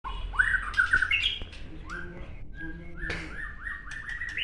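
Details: Captive white-rumped shama singing at a group training session in Gayo Lues, Aceh: clear whistled notes and rising slurred phrases, varied and irregular, with harsher squawky bits mixed in and quiet room noise.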